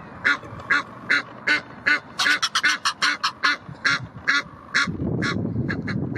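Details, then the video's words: Egyptian geese calling aggressively over their territory at the Blies, Ludwigshafen am Rhein: regular harsh honks building into a fast overlapping flurry from several birds, then dropping away into low rumbling wind-like noise. "Aggressive Egyptian Geese defend their territory - Aggressive Nilgänsen verteidigen ihren Territoriu"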